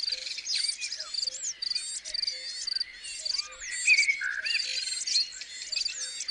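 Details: A chickadee, recorded in March 2020, gives high, busy chattering calls with short repeated notes, over a steady insect-like trill and a faint, low, recurring tone.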